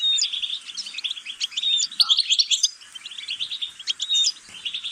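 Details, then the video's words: European goldfinch delivering rapid, tinkling twitters and buzzy trills in a steady stream, with a few clear whistled notes and a short dip midway. "غناء طائر الحسون"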